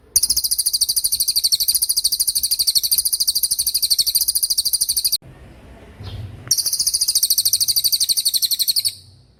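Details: Cililin singing a tembakan-style song, made for training murai batu and other songbirds: fast, rapidly repeated high, sharp chirping notes in a dense run, pausing briefly midway before resuming.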